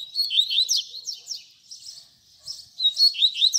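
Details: Double-collared seedeater singing a baderna-style tutor song used to teach young birds: quick high warbled phrases with rising and falling slurred notes, a short pause, then renewed rapid chirps.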